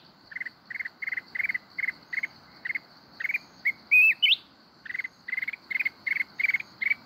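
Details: Mountain red-whiskered bulbul in forest-style kít bổi song: regular bursts of rattling chips roughly three per second, interrupted midway by a brief rising whistled flourish, then the chip series resumes; a continuous high hum underneath.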